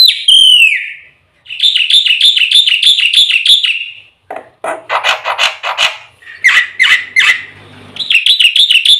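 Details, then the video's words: Black-winged starling song used as a training and lure recording: a falling whistle, then a fast run of buzzy warbled notes repeated about three per second, harsh chattering bursts, and a return to the rapid warbling phrase. "suara burung jalak putih full isian RAJANYA PANCINGAN - MASTERAN bikin gacor PAGI - SIANG - MALAM"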